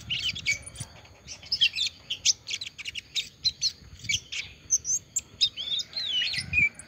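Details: An olive-backed sunbird (Cinnyris jugularis) that has just finished moulting sings a high, thin twitter of rapid chirps and short whistled slurs in quick bursts, with only a faint low background rumble.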